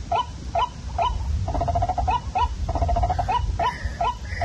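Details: Waterhen calling, played at night to draw birds in for catching: hooked single notes alternate with two rapid stuttering bursts of clipped notes, over a constant low rumble.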